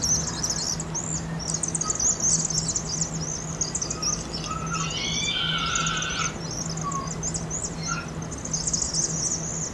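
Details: Fall-migrating Vaux's swifts, several thousand strong, entering an Agate Street chimney roost in Eugene, Oregon, after being spooked; unbroken shrill twittering, with a brief lower wavering sound midway and a constant low hum.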